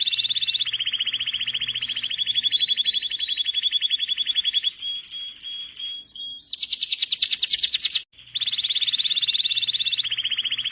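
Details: A canary sings long, rapid rolling trills, shifting to a higher buzzy series with a few sharp accented notes, a short break, then the low steady trill resumes.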